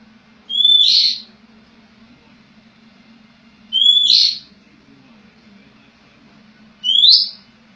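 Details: Oriental magpie-robin; song; lure to prompt a silent bird into singing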